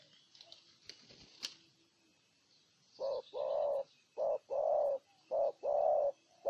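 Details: Spotted dove, Ninh Thuận, Vietnam. After a few seconds of faint rustling and clicks, deep cooing begins: short notes alternate with longer, fuller coos in a steady rhythm.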